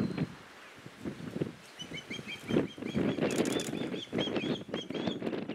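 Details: Fledgling osprey begging its father to be fed while the mother and other young fly close by; a series of thin, high whistled chirps from the middle onward amid strong wind noise.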